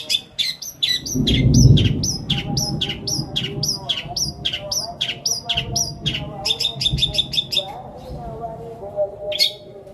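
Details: Long-tailed shrike, or cendet, singing long filler phrases (isian) used to prompt a silent shrike into song. Loud, sharp chirps repeat about four times a second, with a faster stuttering run after six seconds and a low rumble beneath.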